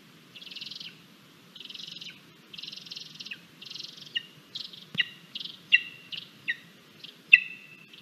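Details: Lesser spotted eagle chick at a nest in Latvia on 17 August 2022, calling at breakfast as the parent brings two frogs and a vole; harsh buzzy notes at first, then sharp rising whistled yelps repeated about every half second.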